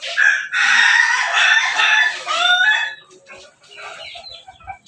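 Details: Crossbred chicken of ayam ketawa, pelung and bangkok lines from Jogja crowing: one long, loud, harmonic crow lasting about two and a half seconds, wavering and breaking into stepped segments before fading, followed by softer scattered clucks and background chatter.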